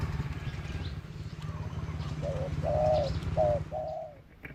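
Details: Lure dove used as a decoy for catching doves: after a noisy stretch with faint distant chirps, four low coos arrive in two short-long pairs, over a steady low hum.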